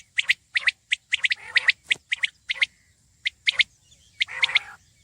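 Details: Common quail uttering sharp, high, clipped notes in twos and threes, spaced by brief silences, with a few softer scratchy bursts in between.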